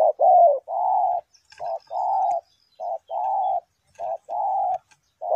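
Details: A spotted dove decoy for trapping delivers evenly spaced coos, each a quick note followed by a sustained, level croon, with faint high ticks in the background.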